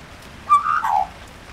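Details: Australian magpie in the rain, one of a pair wanting food; a single short, mellow call rising slightly and then sliding downward, lasting under a second against quiet background.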